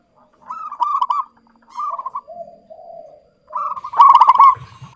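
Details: Local zebra dove with a clear, lively call used for luring: soft pulsed coos, a lower drawn-out purring phrase, then a loud stuttering burst of quick notes.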